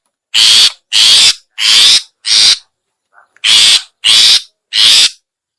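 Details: Long-tailed shrike, locally cendet, lure call to attract other shrikes: a series of four harsh scratchy notes, a brief break, then three more, evenly paced and loud.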